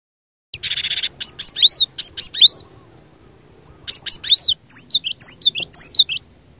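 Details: Cinereous tit kept as a persistently singing lure bird meant to provoke rivals into singing: a dense buzzy burst, then high whistled notes swooping downward in pairs, repeated in quick phrases separated by a short pause.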